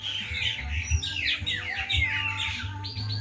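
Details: Dusk birdsong in the countryside: a busy jumble of quick chirps and slurred whistled notes from several birds, over a persistent low rumble and a droning hum.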